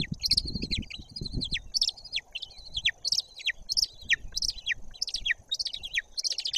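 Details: White-tailed eagle calling from its nest in Bory Tucholskie forest, nest camera, 17 May 2022 at 08:54; a steady run of sharp, high, downslurred yelps repeated roughly twice a second, with a brief low rumble of wind or rustling early on.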